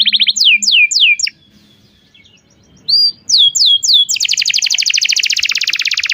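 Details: Canary singing as a lure for young canaries learning to sing, in a long, lively song: downward-sweeping whistled notes in quick series, a pause, then more slurred notes and a fast buzzy trill repeated several times per second.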